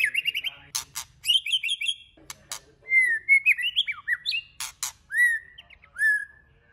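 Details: Varied multi-voiced song of a white-rumped shama, played to stimulate other shamas; trilled note groups, rising and falling whistles, and sweet slurred phrases, broken by hard snapping clicks.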